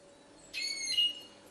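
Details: Goldfinch hybrid from Ksar el Kebir giving a single bright, buzzy note of about half a second, starting with a rough burst and ending on a clearer, steadier whistle, over a quiet background.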